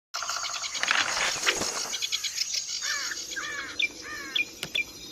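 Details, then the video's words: Kecial kombok, also called cucak kombok, singing in a training recording for contest songbirds: a dense burst of twittering chirps, then a run of short arched whistled notes repeated roughly every half second over steady high hiss. "CUCAK KOMBOK|KECIAL KOMBOK GACOR FULL MATERI ISIAN MEWAH"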